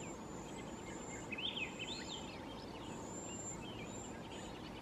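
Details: A gathered flock of wild Cedar Waxwings in the Pacific Northwest gives very high, thin, lisping trills that overlap across the flock, with a few lower chirps and steady background noise.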